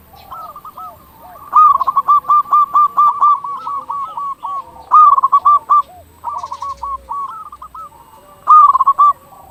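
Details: Local zebra dove singing actively, used as a lure to prompt other zebra doves to call: rapid stuttering coos build into bright rolling phrases, repeated about every three seconds, with fainter cooing doves behind.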